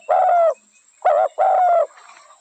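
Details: Spotted dove cooing: three low, hollow, steady coo notes, the first and third long and the middle one shorter, with a soft fainter murmur trailing after, against a quiet background.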